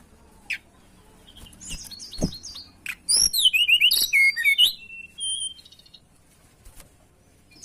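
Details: Mountain tailorbird song used as a lure: a dense, loud phrase of very high, rapid zigzag whistles lasting about two seconds, then a few faint thin notes.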